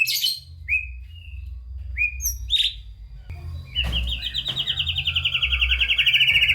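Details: White-rumped shama singing vigorously with a song full of fill-in phrases, used to prompt lazy shamas: a few separate upslurred whistles, then a long, fast, buzzing trill that gradually drops in pitch.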